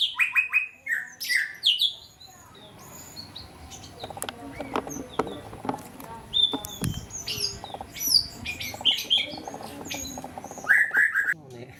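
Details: Wild cinereous tit singing actively, just found: bursts of bright, high chirps and short whistled notes open and close the recording, with a quieter stretch of clicks, rustling and handling noise between them.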